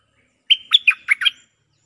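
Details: Cream-vented bulbul answering a resident bird in lure song: a clear whistled opening note, then four quick gurgling chirps, the whole phrase under a second, quiet background.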